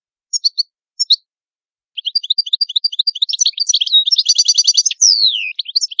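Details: Italian European goldfinch (cardellino) starting with a few scattered chirps, then launching into dense twittering song with a buzzy rapid trill and a sliding downward whistle, resuming twitters afterwards.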